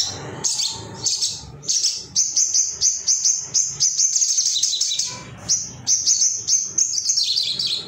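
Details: A male Ruby-cheeked sunbird, excited and hunting for rivals, recorded as training material for other birds: quick runs of piercing high tsit notes repeated several times per second, then shrill twittering phrases.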